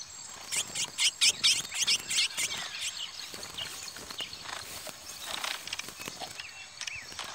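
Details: Fight between a Parazão-style curió and a pardo (brown) curió: a rapid burst of loud, high, scratchy notes in the first two seconds, fading into quieter irregular chirps and soft rustling thumps.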